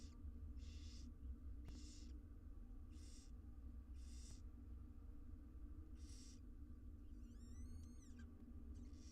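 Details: Six wild barn owl nestlings being fed inside a research-monitored nest box, giving loud breathy hissing snores that come roughly once a second, plus a brief wavering squeal near the end over a steady low hum.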